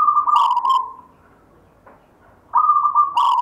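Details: Gayer-style rhythmic song from a local wild-type zebra dove (perkutut) inherited from a grandfather: two long coo phrases, each a held tone broken by bright pulsing bursts, separated by a short quiet gap.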